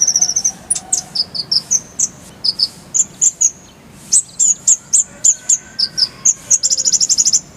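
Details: High, clear song of a purple-throated sunbird, known locally as kolibri ninja, used to tutor songbirds: steady chains of short thin whistled notes at varying pitch, ending in a fast rolling trill.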